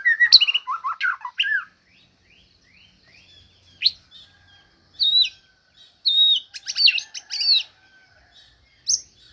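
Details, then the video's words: White-rumped shama singing: varied whistled phrases and sharp high notes in scattered bursts separated by silent gaps. "KOMBINASI TEMBAKAN JOS #bunyimurai"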